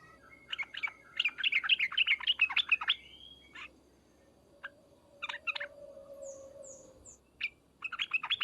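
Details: Sooty-headed bulbul calling in the 'ngriwek uplik uplik' style to draw responses: a rapid chattering run, scattered single notes after it, a faint low hum in the background and three thin high whistles from another bird.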